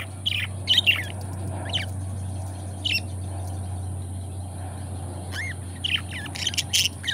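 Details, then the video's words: Two pet budgies, friends kept together, making sparse, isolated squeaky chirps and a few upslurred notes spaced by quiet gaps of a second or more, with a constant low hum beneath. "Budgie Sounds: Birds Singing You to Sleep"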